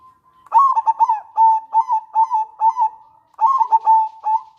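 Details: Local zebra dove singing manggung and nretek song, used as a lure and to bring doves into breeding condition: clusters of soft rolling coos near one pitch, two phrases of stuttered notes ending in a longer coo, quiet surroundings.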